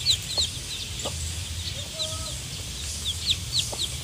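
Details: High thin cheeps from day-old chicks come in bursts of several notes, with a short level tone in the middle and low humming throughout.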